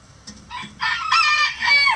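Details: Rooster crowing among chickens in a coop: a loud, harsh, harmonic-rich crow starting near one second, broken into a few strained segments that rise and then fall, with a faint clucking sound before it.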